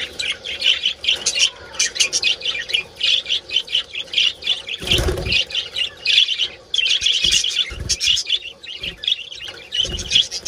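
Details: Colony of budgerigars giving mating calls: long, dense bursts of chirping and squawky warbling, interrupted once by a loud flurry of wingbeats before the chatter resumes.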